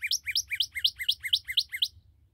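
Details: Newly captured red cardinal delivering a fast series of eight identical chirped notes, about four per second, bright and evenly spaced, ending abruptly, with a steady low hum underneath.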